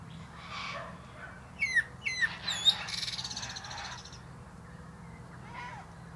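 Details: Male Common Blackbird (Turdus merula) singing from atop a plum tree: a brief phrase of a few clear, sliding notes, then a soft scratchy twitter and a faint closing note, over low background hum.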